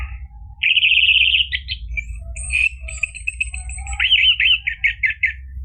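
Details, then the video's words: Song of an orange-headed thrush, used to coax a caged bird into singing. A sustained buzzy trill gives way to varied chirps and a thin high whistle, ending in rapid looping notes over a low hum. "PANCINGAN ANIS MERAH biar bunyi NYAUT JADI GACOR NGEPLONG ampuh buat terapi macet bunyi"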